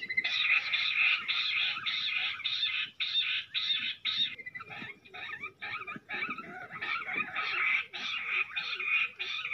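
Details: Fighting jungle bush quail near a trapping net, giving long series of harsh, grating notes at a quick, fairly even beat. They break into a looser, scratchier jumble midway, then return to the steady rasping run.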